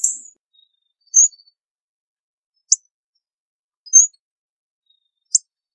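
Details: Hawfinch giving short, sharp high ticking calls and brief thin whistles, spaced irregularly about one to two seconds apart against a silent background.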